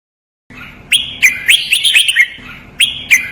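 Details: Red-whiskered bulbul training song, double counted-phrase 'lak wai' master style: a fast run of bright, slurred whistles and chirps, some notes held briefly, with a second phrase starting near the end.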